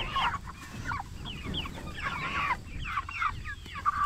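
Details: Jumbo Cornish Cross broiler chickens, 44 days old, raised for meat; a flock giving overlapping short chirps and rising peeps mixed with soft clucks, steady low rumble underneath.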